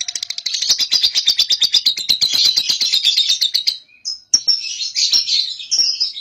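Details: Ngekek from a young cobalt lovebird, played to coax other lovebirds into ngekek: a long, rapid, high rattling trill of even pulses lasting about four seconds, then a brief gap and sharp chirps with short chatters.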